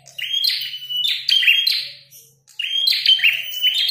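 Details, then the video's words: Red-headed prinia in fighting mode, singing two energetic phrases of fast, piercing chirps and trills, the phrases separated by a short silent gap. "Prenjak tarung gacor | prenjak kepala merah"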